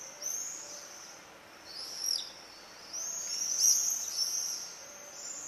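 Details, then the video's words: Common swifts, called bangers, checking nest boxes in Leuven, 4 July 2015, heard from indoors: piercing high screaming trills that swell and fade as birds pass, some rising and falling sweeps, and a faint background hum. "Gierzwaluwen. Martinets. Swifts (Bangers)"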